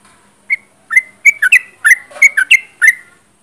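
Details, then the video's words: Close-range sooty-headed bulbul singing busily, a quick string of bright, slurred whistles, some rising and some dropping, packed together after a single opening note. "Trucuk gacor jarak dekat"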